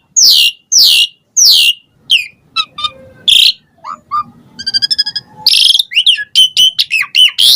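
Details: Asian pied starling song used as a lure to provoke other starlings to answer: a varied medley of loud descending buzzy sweeps, short whistled notes, a rapid stuttered rattle and squeaky chatter.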